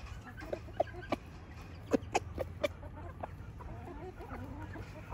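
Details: Rooster in Switzerland showing his hens what to eat: a run of short, sharp clucks, about eight in under three seconds, coming in quick bursts over a steady low rumble.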